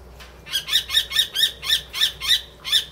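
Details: Common kestrel, a rescued bird taken in at Kichijoji in 2013, recorded at Tama Zoo in April 2016: a fast series of nine sharp, shrill, harsh notes repeated about every quarter second, forming a ringing chattering call.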